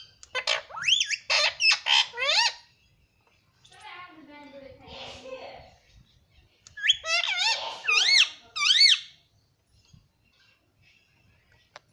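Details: Indoor rose-ringed parakeet kept as a pet, talking: a fast string of four or five harsh, bending syllables, a softer muffled murmur, then another run of quick nasal syllables, followed by near silence.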